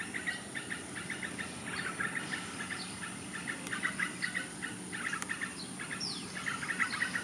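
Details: Yellow-vented bulbul (Pycnonotus goiavier) giving rapid, bubbly chirping notes in quick runs, with a steady high insect hum and rural background noise.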